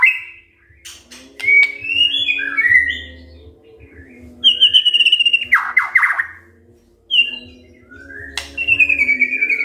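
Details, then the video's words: Sparse morning phrases from a white-rumped shama, meant to make silent birds answer: scattered whistles, a harsh buzzy burst midway, and a clear descending whistle at the end, with quiet stretches and a low hum. "Pancingan PAGI-PAGI AGAR MURAI GACOR❗ murai diam pasti ikut NYAUT EMOSI❗❗"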